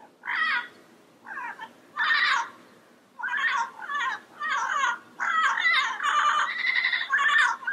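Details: Yellow-headed amazon delivering a long series of harsh squawks, some short and clipped, others drawn out with a more tonal, nasal quality, growing denser toward the end.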